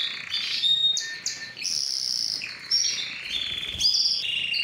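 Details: Belgian canary song meant to stimulate females for mating, used for training: varied short phrases of clear whistled notes, quick trills and pitch jumps, with faint background hiss.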